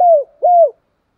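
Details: Spotted dove lure for rival doves: two smooth, level coos, each dropping in pitch at its end, a short gap between them, then silence.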